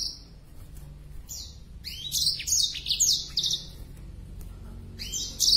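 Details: Singing black-throated canary in breeding condition with wings spread, delivering short high bursts of buzzy trills and slurred notes between quiet gaps, a sustained whistled tone opening the passage.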